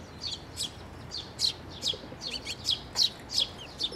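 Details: Fledgling and adult sparrows coming for food at a shrine's water bridge, 11 May 2024; rapid, uneven series of thin, high chirps from several birds, growing louder toward the end.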